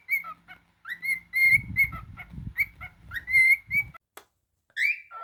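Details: Pet cockatiel indoors giving loud whistled calls around the same pitch, several short rising-then-level notes in quick bursts with gaps, a low rumbling household noise beneath some of them.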